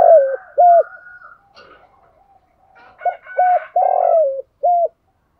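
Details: Close decoy spotted dove luring wild doves: two short clipped coos, a quiet gap with faint higher tones, then a run of short coos and one longer drawn-out coo that trails off.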